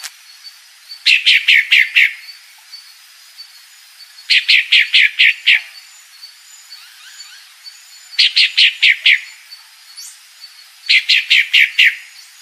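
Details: A female pale-breasted thrush calls in bursts of five or six sharp, high clucking notes, repeated about every three to four seconds, over a faint background hiss.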